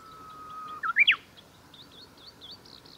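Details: Japanese bush warbler song on 23 July 2021 at the Kita-Fuji training area in Japan. A held whistle leads into a swift two-part flourish. Softer warbling notes from another bird follow in the background.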